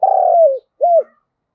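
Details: Decoy spotted dove meant to provoke calling: a long, low, throaty coo with a slightly pulsing start that slides down at the end, then a shorter rounded coo after a brief pause.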